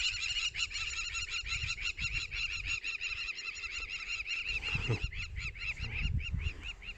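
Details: Crowned lapwing (Vanellus coronatus) keeps up a loud, rapid string of harsh, high, arched alarm calls, with low rumbles and thumps beneath, mobbing a passing pride of lions by the Sand River; it possibly has a nest there.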